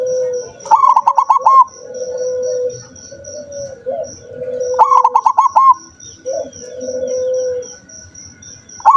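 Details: Zebra dove, said to sing only rarely, recorded 7 November 2023: bursts of short staccato notes running into a quick bubbling trill, between soft sustained low coos, repeated about every four seconds over a steady high pulsing beep.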